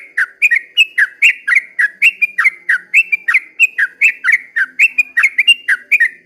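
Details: At daybreak a sooty-headed bulbul pours out its long 'ropel panjang' song: loud, clear, bubbling whistles in quick succession, each note sliding up and down, tightly packed with no gaps.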